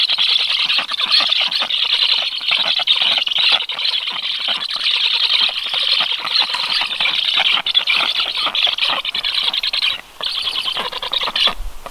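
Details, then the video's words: Black stork chicks in the nest beg with a continuous chorus of high, hoarse, wheezing squeals, breaking briefly near the end, a reflex as an unknown adult black stork moved around the nest, though no feeding followed; 13 July. "Must-toonekurg::Ciconia nigra"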